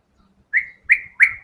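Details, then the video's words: White-rumped shama in full vigorous song: four loud whistled notes, each starting sharply then sliding and fading, repeated about every third of a second over a faint low rumble. "MURAI BATU GACOR‼️FULL BONGKAR SEMUA MATERI ISIAN"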